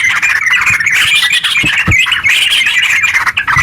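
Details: Energetic sooty-headed bulbul song in the long, rapid 'ropel' style, used as a lure so other bulbuls start singing; crowded bubbly whistles with a few low thumps mixed in.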